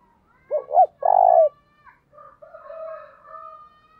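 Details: Spotted dove kept for luring, calling in 'thúc bổi' and 'gáy gọi' style, 2022: two quick looping notes and a rough falling coo, then faint higher whistled tones drawn out behind.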